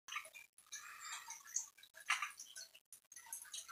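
Red-rumped parrots chatter in quick bursts of high, chirpy twitters, broken by short pauses, with a faint ticking room background.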